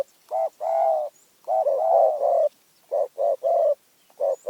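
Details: Spotted dove from Phrae, Thailand, giving a clear, low cooing song: phrases of short coos alternating with longer, slightly wavering drawn-out coos, repeated with brief pauses and little background noise.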